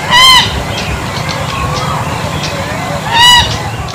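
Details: Bronze-winged jacana calls: two loud, buzzy, nasal honks roughly three seconds apart, each lasting about a third of a second, with faint distant bird notes and low rumble in between.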